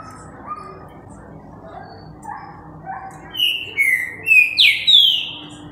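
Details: A green-winged saltator sings on a Friday, 8 October, at 11:13 in the morning: a loud run of five or six clear, slurred whistles, rising and falling, after a quieter start, with a faint low background murmur.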